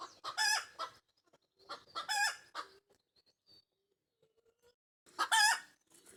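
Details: Backyard Pekin Bantam hen giving the egg laying song, three loud harsh cackling squawks, each preceded by short clucks, with near silence between the second and third bursts.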